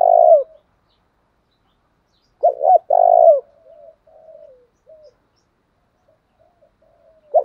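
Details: Spotted dove coo used to provoke rival doves to fight: the end of one long coo, then a full phrase of two short notes and a sustained coo, followed by quiet wavering murmurs and the start of another.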